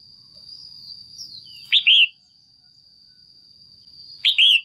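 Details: Female red-whiskered bulbul in a cage, calling to excite a male or to pair up. Two loud calls, each a bright chirp of two quick slurred notes, about two and a half seconds apart. A constant thin whine runs beneath.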